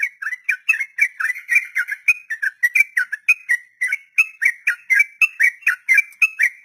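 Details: Sooty-headed bulbul delivering a long 'ropel' phrase meant to teach untamed captive birds: a steady chain of short, slurred whistles, around three to four per second, briefly slowing midway before resuming.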